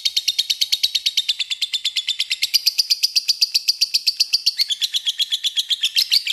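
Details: Lovebird in long ngekek, played as a lure to call a rival: an unbroken, fast, buzzy chattering trill of high notes lasting over six seconds, pitch shifting slightly midway.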